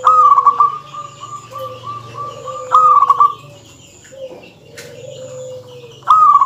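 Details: Local zebra dove singing densely to tease rival males: three clipped, beaded trill bursts spread across several seconds, with softer lower cooing tones and faint trills continuing in the gaps.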